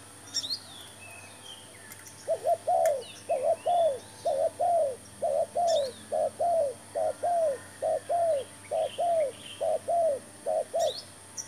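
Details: Spotted dove being lured with a new decoy bird and trap: after a quiet opening, a long, evenly spaced series of mellow paired coos, roughly one each second, over light high-pitched bird chatter.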